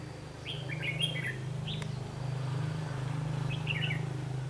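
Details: Red-whiskered bulbul recorded during a trapping session on 21 March 2016, where a decoy bird sings a challenge: short, bright, chirpy whistled phrases in a cluster, a pause, then another brief burst, over a steady low droning hum.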